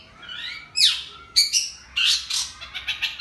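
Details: Long-tailed shrike singing in a cricket-mimicking performance: high, varied phrases with a sweeping downward slur, short harsh buzzy bursts and quick chirps, loud and close.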